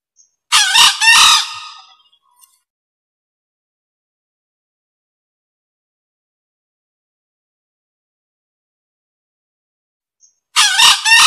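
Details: Male green junglefowl crowing as a bird lure: one harsh split crow of two rasping bursts, then about eight seconds of silence before the same crow begins again.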